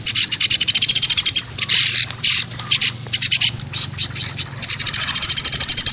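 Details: Trapping lure of the velvet-fronted nuthatch (pelatuk besi): rapid rattling series of high, sharp notes, broken midway by harsher, noisier bursts, then the quick repeated high notes resume.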